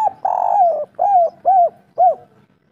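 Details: Local spotted dove singing in the kuk 3 style: a long buzzy coo sliding downward, followed by three short arched coos spaced about half a second apart, in a quiet setting.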